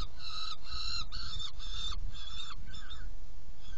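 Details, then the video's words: Saker falcon at its nest box while being fed, 17 June 2018, 10:31: about six rasping notes in quick succession, the last ones weakening and trailing off, over continuous low droning noise. "Kerecsen fészekdoboz 2018.06.17. 10:31 etetés"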